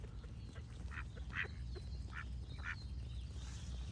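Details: A few scattered, rasping duck quacks, each short and nasal, spaced irregularly over four seconds against a constant low hum and soft background birdsong.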